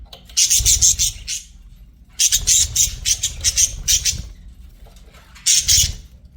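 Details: Pet budgerigars give loud bursts of sharp, high, pulsing chirps in rapid series, with pauses between groups and a final short flurry; light low background noise.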